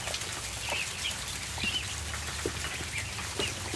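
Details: A short burst from ducklings at barn feeding time: a handful of clear, high, short peeps spaced about half a second apart, plus soft taps and lower thuds.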